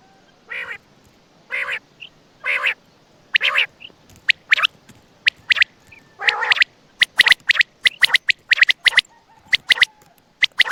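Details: Night-time quail calls recorded around Attock: several spaced nasal, buzzy notes about a second apart, then a quick, irregular series of crisp, high clicking chips, often in twos and threes.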